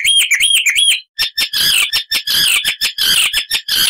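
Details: Hippolais icterina singing: four quick arched whistles, a short pause, then a dense stream of harsh, scratchy chattering notes delivered rapidly.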